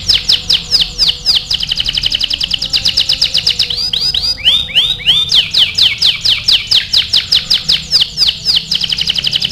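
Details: Canary singing for song training, a long run of rapid high trills repeated many times per second, broken midway by a burst of looping upswept notes before the fast rolling trill resumes.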